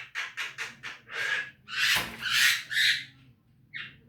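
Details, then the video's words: Javan myna training recording for caged birds: loud, rapid, harsh chattering notes, several short rasps followed by longer grating, wheezy squawks and a final short note after a pause. "Masteran jalak kebo agar rajin bunyi"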